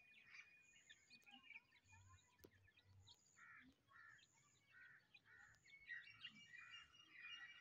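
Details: Grey francolin chicks calling: short chirps repeated about every half second to second, with a faint high thin whistle recurring above and soft low thumps in the background.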